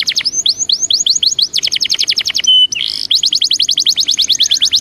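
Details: Belgian canary song of rapid high downward-swept notes in quick repeated runs, briefly broken by a short pure whistle and a harsh buzz before the trills resume.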